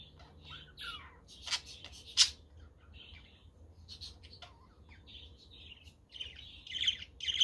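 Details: Pet budgerigars on a sunny, windy day make busy warbling chatter: quick squeaky chirps, a few sharp loud clicks and rising trilled notes toward the end.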